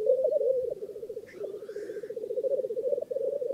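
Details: At a northern England lek, black grouse keep up a steady, rippling, dove-like bubbling, and a single hissing, rising sneeze-like note cuts in partway through.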